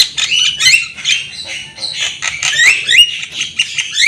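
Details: Javan myna in full voice for training young birds: a continuous harsh, grating warble with scattered upslurred whistles and squeaky notes.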